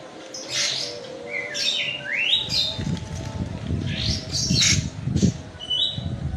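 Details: Kapas tembak white-eye from Medan in full lively song with filled-in 'isian' phrasing, rolling and shooting style: rapid sharp chirps and slurred notes sweeping upward, with steady low background hum.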